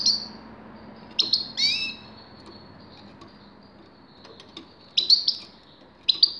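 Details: Scattered short high chirps and a rising whistled note from a grey-crowned goldfinch, separated by quiet gaps, with a few more brief twitters toward the end.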